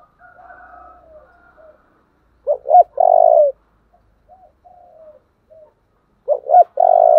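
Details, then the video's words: Calling spotted dove with a 'giọng thổ' deep voice. A fainter drawn-out note is followed by two full phrases, each two clipped notes and a long steady coo, with soft short coos between them. "Cu gáy giọng thổ/ chuẩn thúc và gáy gọi"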